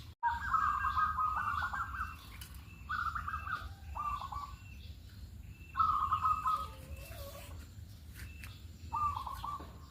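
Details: Zebra dove, a local bird, heard in the morning as a lure to make others call: several trilled coos in loose succession, some longer and some clipped, over a steady low hum and faint chirps.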